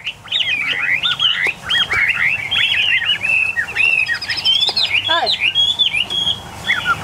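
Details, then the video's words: Caged Chinese hwamei, one of eight tame birds, delivers vigorous varied whistling with trills and sweeping slurs in bursts, other hwamei joining in and a man's voice briefly heard. "8 em hoạ mi thuần, mới về phục vụ anh em | Hoạt Họa Mi"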